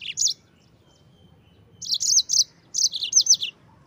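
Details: Yellow-fronted canary (mozambik) song, used as a master recording to train other birds: short bursts of high, bright chirped notes in quick runs, with pauses between phrases.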